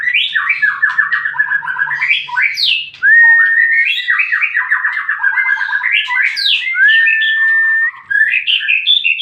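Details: Lure song of a white-rumped shama meant to draw answers from other shamas: fast repeated trilled notes in rolling series, interrupted by long pure whistles, a continuous varied stream without pauses.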